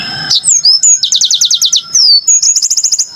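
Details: Dense yellow-fronted canary phrase of looping whistles, a rapid run of falling high notes, a long sliding lower whistle, then a fast high trill.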